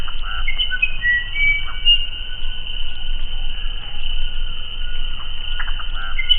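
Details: Musician wren uttering several bright whistled notes at varied pitches, followed later by clustered gurgling bursts. A steady hiss and low rumble sit underneath.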